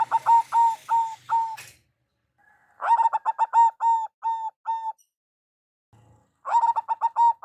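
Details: Local zebra dove lure call: loud ringing coos delivered in rapid bursts of several even notes, a pause with a faint low murmur, then another burst of repeated coos.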